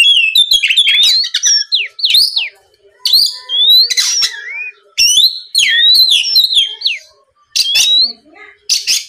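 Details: Oriental magpie-robin singing loudly and continuously, played to stir rivals into song. Dense run of sweet slurred whistles, trills and harsh chatter, with brief gaps between bursts.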